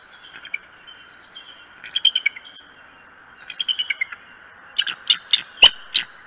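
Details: Bald eagles at the Decorah nest on the morning of 21 March 2018: two bursts of rapid, high, staccato chittering notes that slip downward, followed by several sharp loud clicks and knocks near the end over a steady background hum.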